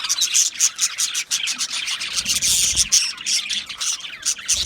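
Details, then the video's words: Chirping budgerigars: rapid scratchy twitters and sharp squawky chirps from several birds, dense and unbroken, with a short rustling burst midway. "Budgie Parrots Chirping sounds"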